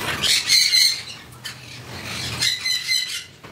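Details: A red factor Jenday conure at a bird farm in Coimbatore gives harsh, raspy screeching calls in two bursts, each about a second long, with a pause between them.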